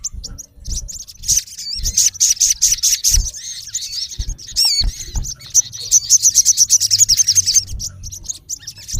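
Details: A male olive-backed sunbird challenges a rival with high twittering chirps, a sharp upslurred whistle, then a rapid even series of clipped ticks around three per second.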